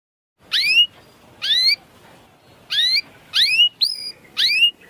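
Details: Canary sounds used to stimulate canaries reluctant to sing: five separate short rising whistled calls, spaced about a second apart, over faint background hiss.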